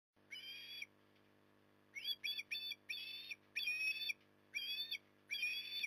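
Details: Osprey feeding in the evening at Port Lincoln, Australia, 9 October 2020: a series of short, high whistled calls with a slightly rising, wavering tone, given in bursts about every half second, over a steady low hum.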